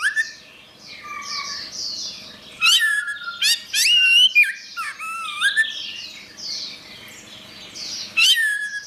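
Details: Orange-headed thrush singing loud whistled slides and warbled phrases, interspersed with softer high squeaky notes, several strong bursts separated by quieter stretches.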